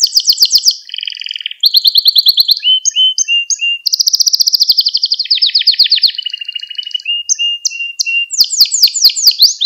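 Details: Training song of a canary for teaching young birds to sing, continuous and high-pitched, with rapid rattling tours, buzzy rolls and descending whistled notes linked without pause.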